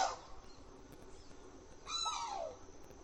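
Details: A sarus crane, described as a female crying out, gives one loud, harsh, brassy cry that falls in pitch over about half a second, after a brief note at the start, over a steady background hiss.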